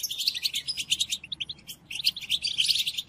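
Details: European goldfinch song played to captive goldfinches for song training: rapid, dense, high twittering in bursts, with a short pause near the middle and then a renewed tinkling run.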